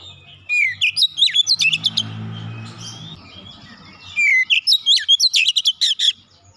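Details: Oriental magpie-robin song played to encourage other magpie-robins to sing. Quick, varied high chirps and whistles, with a low rumbling noise during a pause midway. A second long burst of sharp rapid notes follows.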